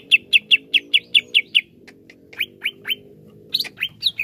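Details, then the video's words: Greater green leafbird singing, recorded as therapy for leafbirds that sing little: eight evenly spaced bright chips, then downslurred whistles, and a final cluster of jumbled notes over a soft low background rumble. "TERAPI CUCAK IJO LELET BUNYI"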